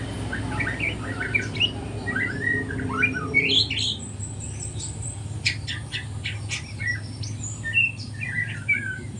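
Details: Morning practice by a juvenile spotted white-rumped shama learning to sing: loose whistles and slurred notes, then a run of dry clicking ticks, with a steady background hum.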